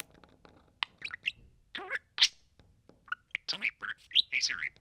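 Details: Male pet budgerigar talking close to a microphone, mimicking words and sounds: rapid bursts of squeaky, chattering, warbled syllables with short gaps, a brief pause near the middle, then a denser run of high, scratchy phrases.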